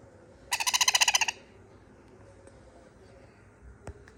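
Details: A baby sun conure begs for more food, giving a quick burst of about a dozen harsh, raspy pulses in under a second, then falls quiet.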